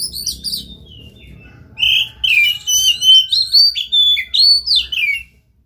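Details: Oriental magpie-robin, played as a lure to get another bird singing, opens softly, then breaks into a rhythmic string of loud whistled notes, each sliding and twisting, roughly two per second, with a quiet hum behind.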